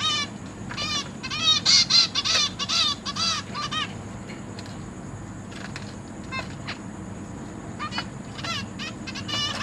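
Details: Zebra finch chicks fed by parents in a cage: a loud flurry of rapid harsh nasal begging notes at first, dropping to scattered softer single calls over a faint steady hum.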